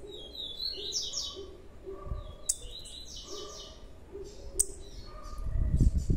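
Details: Blue-black grassquit fledgling giving quick, high buzzy chirps in clusters several times a second, with a couple of sharp snapping notes, over low background rumble and softer mid-pitched tones.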